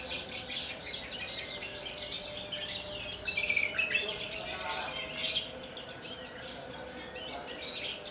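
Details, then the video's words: Javan bush lark native to Kulon Progo, kept caged, delivering rapid high twittering phrases in the Jambul style, with wing-quivering, mixed with buzzy notes and a low background hum. "KICAU DAN GAYA "BEGAWAN", BRANJANGAN TLATAH ASLI KULON PROGO"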